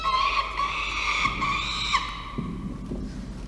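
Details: Peregrine falcon nestlings about five weeks old at the nest, filmed by nest camera at 5:47 pm on 7 November 2023; drawn-out, harsh wailing calls with a strong harmonic stack, repeated in overlapping bursts, with low rumbling noise underneath.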